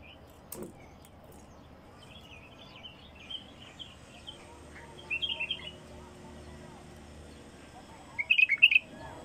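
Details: Wild bulbul giving two brief bursts of quick, chirpy warbled notes several seconds apart, with faint softer chirps before and a quiet outdoor background.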